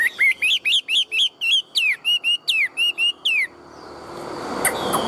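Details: Tame caged Chinese hwamei, a large-bodied bird kept for singing and fighting, delivering a run of about twelve loud, clear whistled notes, each sliding and bending, in quick succession before falling silent amid faint background hiss.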